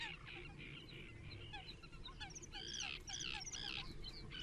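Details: At Rutland Water Nature Reserve in January 2022, a water rail gives a squealing, whining sequence that grows louder and more tonal toward the end, with scattered chirps from other birds.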